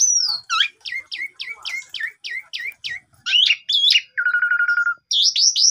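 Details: Javan pied starling singing vigorously, a morning lure recording made with a vivo phone to get silent birds singing. About ten repeated downward-slurred whistles, then buzzy twisting notes, a flat low rattling trill and high squeaky whistles.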